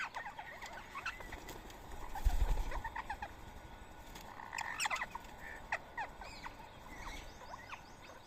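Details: Flock of rose-ringed parakeets eating soaked boiled rice in Coimbatore, India, on a Sunday morning, 31 March 2024; overlapping short screechy chirps in irregular quick succession, with wing flutters and low rumbling noise.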